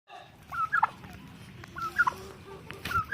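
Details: An angry tom turkey gives three short, rattling gobbles about a second apart, mid-pitched and throaty, over a low background rumble.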